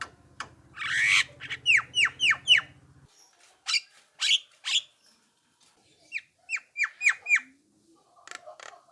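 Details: Javan myna call meant to set other mynas responding: a harsh rasp, then a quick run of falling whistled notes. Scratchy squawks and another burst of descending whistles follow after a pause.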